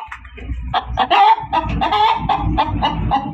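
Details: Hen giving a loud cackle of quick, harsh, evenly repeated squawks over a steady low rumbling background noise.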